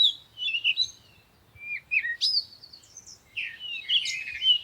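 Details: Sunrise chorus of birds: clear, high chirps and sweeping whistled notes, some sliding downward, delivered in quick overlapping phrases with short pauses.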